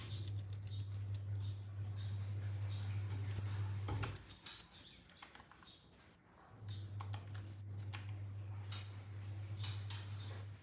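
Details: Olive-backed sunbird (kolibri ninja) training-lure song: rapid strings of six or seven piercing high notes, each followed by drawn-out shrill whistles repeated roughly every one and a half seconds, over intermittent low hum.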